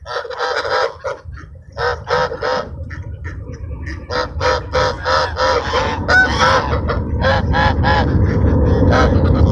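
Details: Nasal, harmonic honks from ducks crowding in to be fed at sunset in a park, delivered in rapid runs of separate notes, one brief squeak among them, as low rumble grows steadily louder.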